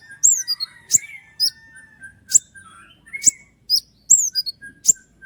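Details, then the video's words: Common iora in full voice, delivering a long roll of sharp 'tembakan' shots meant for tutoring other songbirds: piercing high whistled notes and quick down-slurred chirps, separated by short gaps, with a thin steadier whistle running underneath. "roll tembakan panjang dengan tonjolan tajam mewah dari konin gacor untuk masteran burung kicau lain"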